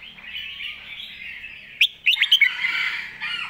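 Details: Red-whiskered bulbul master song used to teach young birds, with a continuous mid-pitched warbling chatter broken by a brief cluster of bright, clipped whistled notes near two seconds.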